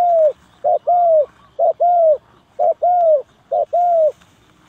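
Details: Spotted dove calling as bait for trapping. It gives a regular series of paired coos, each a clipped note followed by a drawn-out descending coo, loud and clear against a quiet background.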